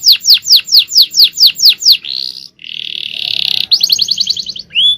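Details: Full-power champion song from a male canary: loud repeated down-slurred notes about four per second, then a dense buzzy rattle, a quick trill and a final upward whistle.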